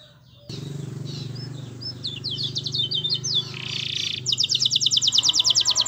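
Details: Canary master song for encouraging other canaries: faint chirps and descending slurs through heavy low background noise, a buzzy phrase, then a clear, very rapid high trill repeated steadily to the end.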